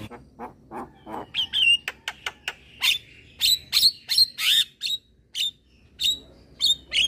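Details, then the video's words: Young male black-winged starling singing while bobbing its head: a series of dry clicks, then harsh squawky bursts mixed with short piercing whistles, repeated about three times a second. "Jalak Kebo Jantan Muda Rajin Bunyi - Jalak Kebo Jantan Manggut Manggut"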